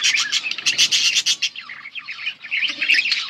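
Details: Budgerigars, recorded August 19, 2024, chirping: a fast string of harsh, clipped chirps for the first second and a half, then softer, wavering warbles rising and falling.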